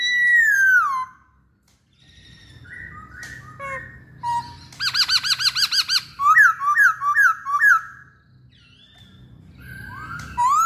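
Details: Song of a masked laughingthrush, opening with a falling whistle, then a quick run of repeated rolling notes and a series of bright rising-falling whistled syllables, with a soft background hum.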